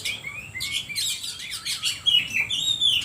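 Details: Oriental magpie-robin singing to provoke other birds: rapid run of high chirps and slurred whistles, several notes per second, ending in longer sweeping whistled phrases.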